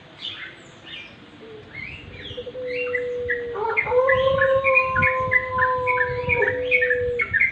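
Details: Sooty-headed bulbuls recorded naturally at dusk: dense chattering chirps, short slurred notes repeated rapidly by several birds. A sustained steady tone with a higher overtone runs beneath for several seconds.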